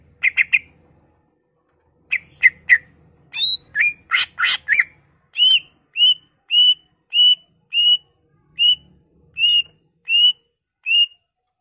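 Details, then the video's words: Greater green leafbird song to stimulate other leafbirds to sing: scattered chips, a dense noisy burst of harsh notes, then a long regular series of clear downslurred whistles about twice per second. "Pancingan Cucak Ijo Merangsang Cucak ijo lain"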